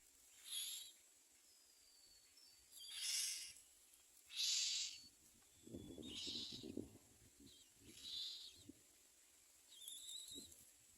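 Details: Myna nestlings waiting for food from their parents give harsh, hissing, high rasps in short bursts about every one to two seconds, with some low thumps and rustling in the middle.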